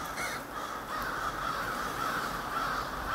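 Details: Crows massed in a backyard park, a steady wash of distant raspy caws blending into one continuous noisy chorus.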